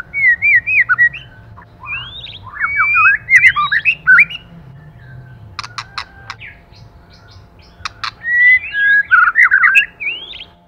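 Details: White-rumped shama, a male and female pair in a 'kích lửa' session, singing bursts of clear, looping whistles that rise and fall, with sharp clicks in the middle and a low hum underneath.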